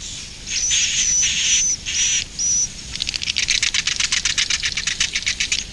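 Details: Edible-nest swiftlet roosting call: buzzy, hissing bursts with a thin high whistle on top for about two seconds, then a fast train of sharp dry clicks repeating about twice a second.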